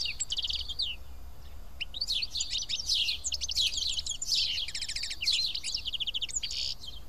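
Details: Many house sparrows feeding together at Karyotissa, Greece, produce a lively, crowded chorus of chirps and fast rattling trills, overlapping almost without a break.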